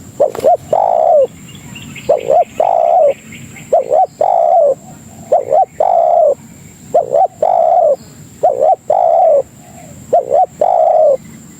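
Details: Spotted dove lure call to attract other doves: steady series of about eight phrases, each two quick short notes then a longer descending coo, repeated every second or so.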